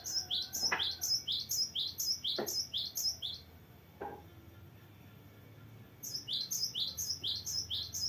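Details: Gelatik batu, or cinereous tit, in vigorous rolling song: fast repeated high paired notes in two long runs around a pause, with three sharp knocks or clicks in between.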